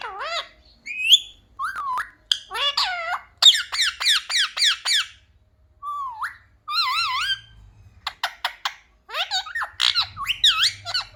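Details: Talking parrot mimicking "mummy papa" chatters steadily: swooping whistled notes, rapid clipped syllable bursts, wavering trills and squawky phrases with short gaps between them.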